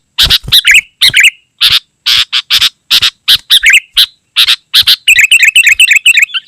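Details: Sooty-headed bulbul in steady full song, intended to attract wild bulbuls and tutor kept birds: harsh rasping bursts alternate with bubbly slurred notes, then ends in a fast run of bright chattering phrases.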